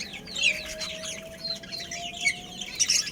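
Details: Colony of budgerigars with a breeding pair: a steady mass of quick, high, twittering chirps and warbled notes from several birds, over a faint constant low whine.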